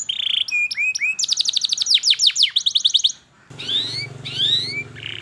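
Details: Training song of a canary for young birds learning to sing: a buzzy note, looping whistles, then quick repeated downward sweeps and chirps; after a short gap, rising slurred whistles over a low hum.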